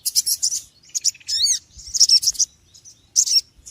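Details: Noisy small birds give rapid high twittering bursts. One clear chirp arcs up and then down, followed by more scratchy chirps and a final short burst after a brief pause.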